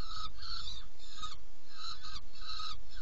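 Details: Saker falcon calling at a nest box at feeding time, 17 June 2018, 10:31; five grating, drawn-out notes come in pairs with short gaps, backed by a steady deep hum.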